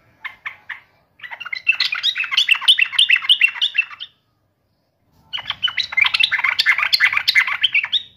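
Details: Yellow-vented bulbul singing against a rival: a few separate notes, then two long runs of busy, gurgling, tumbling notes, each about three seconds, with a pause between.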